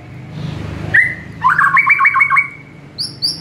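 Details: White-rumped shama, morning training recording for caged birds: a single whistle, a rapid stuttering trill of about seven notes, then two high sharp notes.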